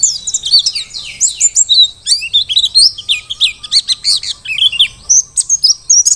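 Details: Mountain white-eye of the Merapi ngalas type, a very vocal singer used as a song tutor for other birds: a rapid, continuous stream of high, thin twittering and chirping notes with quick slurred phrases and hardly any pauses.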